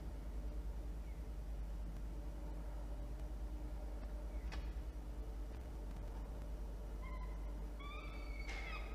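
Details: Peregrine falcons at a nest box atop a water tower in Orange, NSW, Australia, 24 October 2021 around 12:17 PM. The male brings a starling and the female feeds the chick, with harmonic whining calls, two or three drawn-out cries near the end, over a low rumble.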